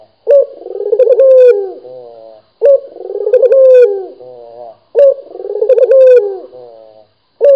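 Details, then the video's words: Keen local Barbary dove repeating its coo three times, about every two and a half seconds. Each phrase is a throaty rolling trill that flattens into a long note, with a soft lower tail before silence. "SUARA BURUNG PUTER GACOR | BURUNG PUTER LOKAL GACOR"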